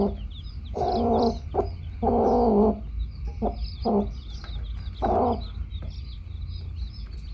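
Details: A hen among her baby chicks utters drawn-out, harsh, nasal clucks and a few short clipped ones, loud and uneven in spacing, with high, thin chick-like peeping running throughout and low rumbling noise.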